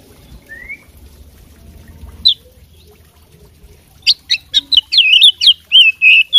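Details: Oriental magpie-robin kept as a fighting bird: after a quiet start with one rising whistle, a fast burst of sharp, varied chirps and looping whistles runs through the last two seconds.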